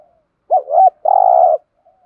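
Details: Spotted dove giving an urging coo in the thổ pha voice style, used to stir other doves into calling: two quick looping hoots, then one long, rolling, buzzy coo lasting about half a second. The coo stands out against silence.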